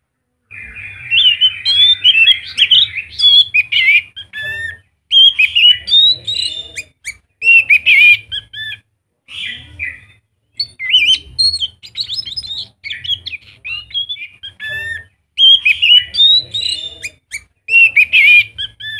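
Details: A scaly thrush in strong, full song, used as a lure to prompt other thrushes to sing, gives a lively, fast run of warbled, chattering phrases with brief pauses between bursts.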